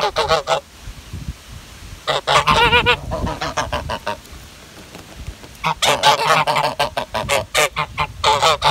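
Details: Several Greylag geese (Anser anser) honk in loud, harsh, rapid nasal volleys, calling together, with short pauses between groups.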